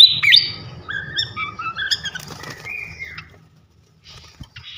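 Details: Flycatcher singing for training contest songbirds: a loud opening whistle followed by several level, clear whistled notes at different pitches and a falling slur, then near silence with faint twittering.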